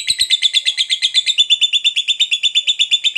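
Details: Lovebird's long chattering song, a very regular, high, rapid trill of squeaky pulses, about three per second, holding the same pitch steadily throughout.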